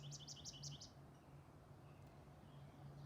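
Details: An American goldfinch in a garden gives a quick run of about six high, sweet chirps in the first second, then stops, over a steady low hum.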